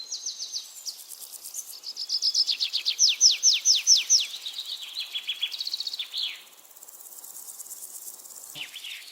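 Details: Bird chirping in a natural setting. Bright trills and fast runs of down-slurred notes build in strength, then fade to a softer high chatter, with one brief low knock near the end.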